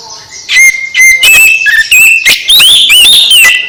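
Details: Oriental magpie-robin singing to rouse another, silent magpie-robin: rich whistled phrases with steady level notes, sharp upward slurs and clicking strokes, loud and close throughout.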